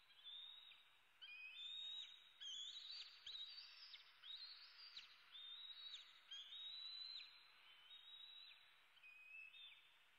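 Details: Bald eagle eaglet E7 in Southwest Florida, USA, early morning on 8 May 2016, demanding food at the nest: long, thin, high screaming calls with wavering pitch, repeated almost continuously over a faint, hissy background.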